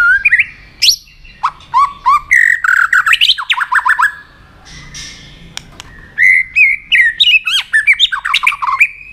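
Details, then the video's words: White-rumped shama excited to fight-sing: fast, varied phrases of rising whistles, slurred warbles and short repeated notes, delivered in loud bursts with brief pauses. "kích lửa cho chòe lửa hót"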